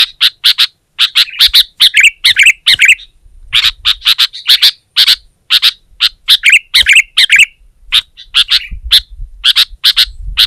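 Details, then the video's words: Sooty-headed bulbul in full, lively song aimed at a rival. It gives rapid clusters of short sharp notes and rolling warbled phrases in an irregular, busy rhythm with brief pauses. "Suara Burung Kutilang Gacor Menekan Lawan Terbaik || Burung Kutilang Lain Emosi Dan Ikut Gacor"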